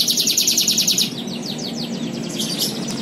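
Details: Competition canary from Pontianak, West Kalimantan, in full song: a fast, even trill of bright repeated notes, about eight a second, sliding into buzzier, descending rolled phrases over a low background hum.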